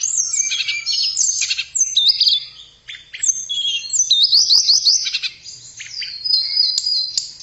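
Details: Tledekan, a blue flycatcher, sings a busy, varied high-pitched warble of rapid chirps, rising slurs and short stuttering trills, with scattered clicks.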